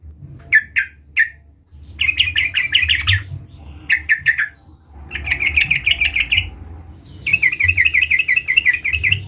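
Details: Sooty-headed bulbul (trucukan) calling a rival, used as a lure to provoke singing: a few short separate notes, then three bouncy, rolling chattered phrases with brief gaps.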